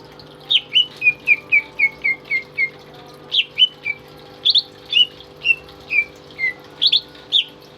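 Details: Captive, tame greater green leafbird singing as a master bird for training others: a run of evenly spaced descending whistles, then short bursts of high chirps mixed with falling whistled notes.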